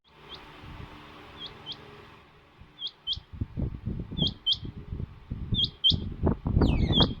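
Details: Female rain quail sounding like a male; crisp doubled high notes come in pairs about every second and a half, accompanied by heavy low knocking and rustle, with a few sliding chirps at the close.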